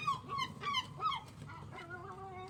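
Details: Seagulls, said to be very loud with strange sounds: four sharp, downslurred yelping calls in under two seconds, then softer wavering lower notes, with a faint low hum behind.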